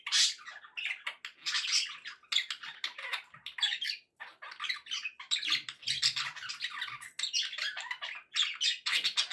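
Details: Several pet budgerigars, described as happy, chatter busily indoors with rapid clicking squeaks and buzzy warbled phrases, bursts separated by short pauses, faint low rustling underneath.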